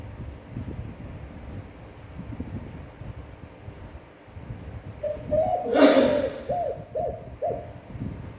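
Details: Spotted dove with a long, appealing standard coo; after several seconds of low room rumble a run of mellow hooting coos begins, broken midway by a sharp broadband knock or thump.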